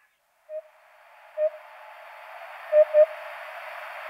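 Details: Eurasian hoopoe with scattered low hollow hoots: single notes at first, then a close pair, set against a steady hiss of background noise.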